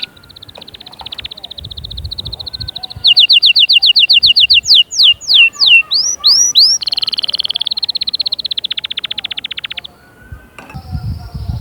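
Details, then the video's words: Canary song to prompt chicks to sing and prepare females: a long high buzzy trill, then rapid repeated notes, swooping whistles and another dense rolling trill. "غناء وتحفيز خرافي لأجبار الفروخ على التغريد وتجهيز الأناث فورا جربهاcanari bird singing"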